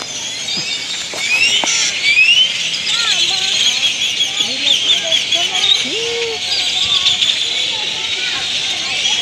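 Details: Roosting great-tailed grackles in Granada, Nicaragua, arriving in flight and perching in Indian laurel trees for the night; a loud high-pitched chorus with rising whistled slurs, and people speaking over it.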